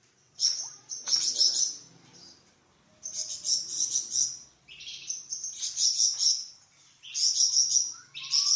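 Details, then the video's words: Flamboyan bird, a songbird kept for training other songbirds, sings a busy run of high, sharp, twittering trills with varied short notes. The phrases come in overlapping rapid bursts with slight gaps. "Suara variasi burung flamboyan untuk masteran cucak ijo dan murai batu"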